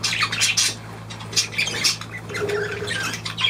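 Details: Budgerigar chattering in quick, raspy, high chirps and squeaks in dense clusters, with a steady background hum.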